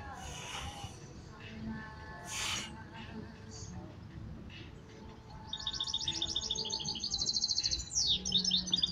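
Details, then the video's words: A European goldfinch hybrid in song training breaks into a bright, tinkling song of fast high trills and twitters with a quick down-slurred note, after a few seconds of faint background murmur. "Campeando mixto de jilguero"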